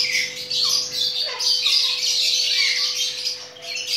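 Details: Chattering lory, mating, with continuous shrill screeching and a few lower descending squeals early on, over a faint background hum.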